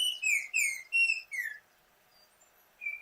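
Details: Altamira Oriole from the southern tip of Texas along the Rio Grande gives clear, slightly harsh whistled notes, four quick ones, some falling in pitch, then a pause and one more; pairs call back and forth while foraging together.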